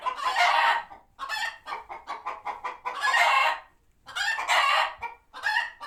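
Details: Sanctuary chickens reacting to a hawk overhead, retreating to coops; long loud squawks alternate with a run of quick rhythmic clucks about three per second, several birds overlapping.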